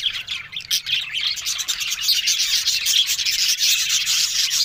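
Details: Budgerigars talking on October 1: a thick stream of fast, scratchy chirps and clicks, rapid ticking notes layered over warbling chatter, starting slightly quieter and building into a steady busy chorus.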